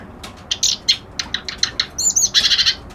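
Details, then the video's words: Reed warbler singing scattered scratchy chips that speed into a dense, buzzy, harsh chatter at the end, with faint hum in the background. "Suara Burung Kerak Basi Alis Putih"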